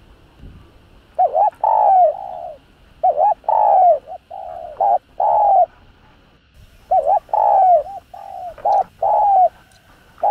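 A spotted dove gives soft, mellow cooing phrases, three or four hoarse notes each, with the last one drawn out; the phrases repeat every few seconds.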